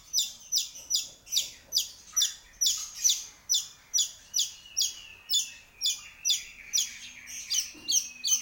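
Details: Steady run of harsh, buzzy high notes from a long-tailed shrike singing actively, each burst repeated roughly every half second for over eight seconds, with a faint low tone near the end.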